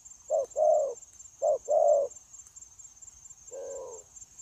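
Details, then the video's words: Spotted dove kept as a trapping decoy, recorded 9 January 2024, gives two crisp paired coos, a short note then a longer rounded one, followed by a softer drawn-out coo, with a steady high whine behind. "Bổi Quá Chịu Gù | Nết gù liền lạc liên tục"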